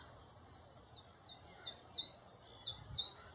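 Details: Common chiffchaff singing: a steady series of short, bright, downward-sliding notes, about three per second, alternating slightly in pitch, over quiet background hiss.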